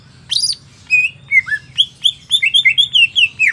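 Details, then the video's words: Market-bought greater green leafbird singing a lively run of clear whistled notes, some rising and some falling, repeated rapidly with short gaps. "Burung CUCAK IJO Pasar"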